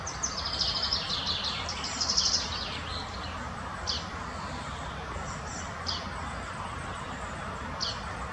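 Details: In the Munich Botanical Garden, a spotted flycatcher gives thin, very high, sharp calls in short clusters every couple of seconds over a steady broadband hiss.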